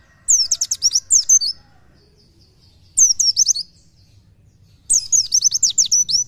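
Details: Fast 'nembak nyepeed' song of an Oriental white-eye, recorded as a masteran tutor: three bursts of quick, piercing downslurred chirps, each lasting about a second, with short silences between them.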